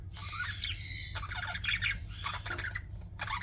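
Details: Budgerigars kept as pets give a continuous jumble of buzzy chatter and squeaky notes that runs for the whole stretch, overlapping and dense, over a steady low background hum.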